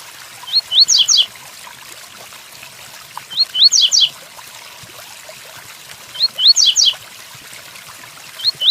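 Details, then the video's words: Double-collared seedeater delivering its Tui Tuí Fibra song during rain. Each phrase has two short rising whistles, then a pair of rapid falling buzzy sweeps, repeated regularly every few seconds above a steady rain wash. "Tui Tuí Fibra pelo coleiro Capricho com som de chuva"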